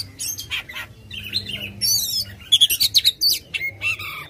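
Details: An aggressive, tail-spreading Oriental magpie-robin in full song, meant to get a lazy one singing: scratchy notes and soft warbles, then a quick run of ringing whistled notes and a final drawn whistle.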